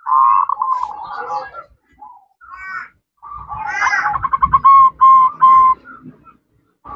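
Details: Female zebra dove calling a male in ngerot, nretek and manggung style; a wavering rolled coo, soft broken notes, then a loud stuttering run of quick pulses ending in level held tones, with low knocking underneath.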